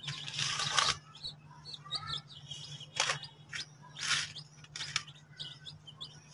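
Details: Colorful baby chicks eating and drinking water, with high chirps scattered through the clip, several overlapping peeps from a group, brief broadband bursts and a steady low hum underneath.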